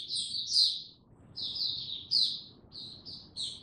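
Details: Captive Oriental white-eye singing on 2 May 2022. Several short, bright, high twittered phrases come roughly every second, with a soft background hum.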